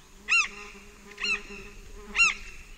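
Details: Large-billed tern flight calls recorded close up at Pacaya: three harsh, nasal, arched calls about a second apart, with other birds and a steady insect drone in the distance.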